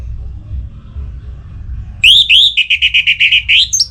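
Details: Orange-headed thrush, a caged songbird in breeding condition, singing to call a rival: after two seconds of low hum, a rising whistled note leads into about eight rapid, even, piping notes near one pitch, ending in a high upswept note.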